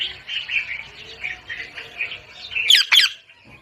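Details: Parrot giving a run of rhythmic, grating chatter notes repeated about every quarter second, ending in two sharp, loud screeching squawks before falling quiet.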